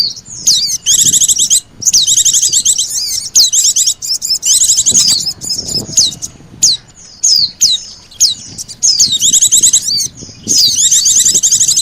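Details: Oriental white-eye lure call, mixed with sogon calls, used to attract birds: bursts of very high, rapid twittering and trilled chirps with short pauses between phrases, and faint low background noise.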